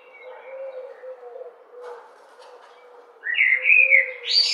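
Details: Common blackbird singing: after about three seconds of low, steady background hum, a loud fluty warbling phrase bursts in, wavering up and down and ending on a higher squeaky flourish.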